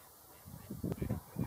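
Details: Gadwall giving display calls: a quick run of low, nasal, croaking notes, about four grunts in one second, over a faint background hum.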